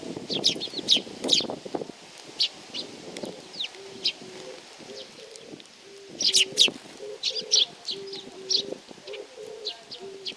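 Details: A group of sparrows at Tenmangu shrine, Nakanoshima, arriving to be fed on 7 June 2020. Bursts of high chirping crowd together at the start and again midway. Pigeons coo low and repeatedly through the second half.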